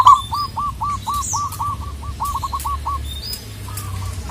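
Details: Local zebra dove calling a rival: a steady run of about a dozen short hooked coos, spaced evenly after a brief louder start. A soft background hum and faint high bird chirps are present.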